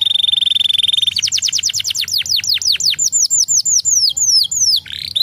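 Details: Canary song meant to stimulate other canaries: a long steady high trill, then a fast series of descending whistled sweeps, about three per second, ending in quicker slurred notes.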